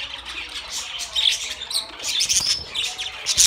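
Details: Budgerigars giving busy, uneven chatter: quick high squeaks and chirps in irregular bursts, some louder scratchy phrases, with several birds calling over one another.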